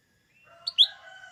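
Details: Lesser green leafbird, locally called cucak ijo mini or cucak daun, used to provoke green leafbirds into singing before contests: two sharp, high chirps followed by steady, thin, sustained whistled tones layered at several pitches.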